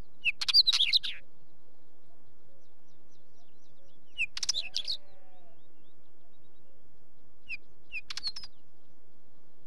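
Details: Wheatear song: three short, scratchy phrases of rapid chattering and twittering notes, spaced several seconds apart with quiet gaps, and a faint low bleat-like sound in the background.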